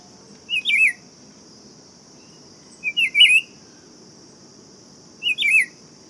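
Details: Three warbled, down-slurred whistled phrases by a Buff-throated Saltator, spaced about two and a half seconds apart, with a persistent high thin drone in the background.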